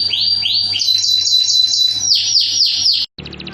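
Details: Canary singing a masteran lure meant to teach other canaries, full tembakan style: loud, rapid, slurred high syllables repeated about four per second, a brief break near the end, and a steady low hum underneath.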